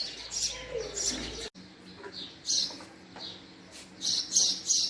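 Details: Male house sparrow giving bright, sharp chirps in short bursts, with a brief pause before more clustered chirping toward the end; faint low hum in the background.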